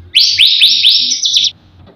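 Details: Loud white-rumped shama phrase in full isian style, meant to prompt other birds to sing: four quick upswept whistles, then a short flat buzzy note, lasting about a second and a half.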